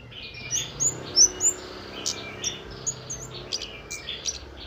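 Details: Wild-style flowerpecker song used to prompt birds to sing: four loud, thin, high notes slurring downward in quick series, then scattered fainter high ticks and chirps over a low hum.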